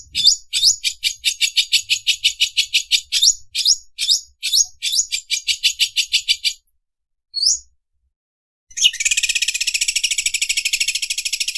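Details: Greater green leafbird song copying an overlock sewing machine: fast runs of high chirped notes in rhythmic bursts, a short pause and a lone upswept note, then a dense, buzzy, machine-like rattle of rapid pulses.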